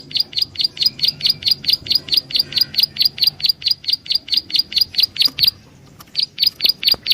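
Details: Prinia calling for use as a lure: a long fast series of about twenty-two sharp, high chirps, a short pause, then four more chirps resuming the same rhythm.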